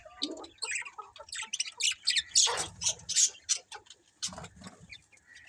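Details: Budgerigars in a colony, many chirping together: dense, scratchy chatter and squawky notes in quick irregular bursts, some loud harsh peaks mid-clip.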